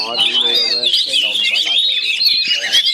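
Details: Caged Oriental magpie-robins fighting a rival across joined cages; a short burst of dense, high whistling and warbling, with a man's voice talking underneath.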